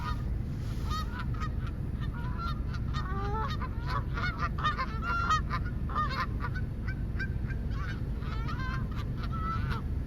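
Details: Many geese honking at once, irregular rapid calls around one and a half per second, some drawn-out and wavering, over low steady rumble.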